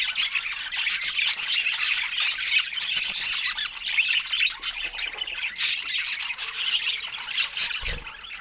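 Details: Budgies share fruit while chattering: a thick, continuous mix of high squeaky warbles and sharp chirps, with a brief low thud near the end.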